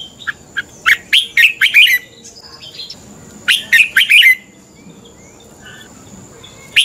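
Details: Red-whiskered bulbul fighting song for morning training: two loud phrases of rapid, bright whistled notes, each about a second long and spaced three seconds apart, with faint thin whistles between them.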